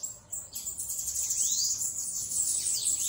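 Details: Short burst of hissing, very high twittering from a free-flying bananaquit, steady and unbroken after a half-second pause.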